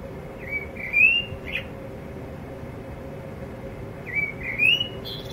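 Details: Male blackbird singing quietly to himself in a yard where a blackbird pair lived for five years. Two short, soft warbled phrases, about three seconds apart. Each phrase has a few rising and falling whistled notes over a steady background hum.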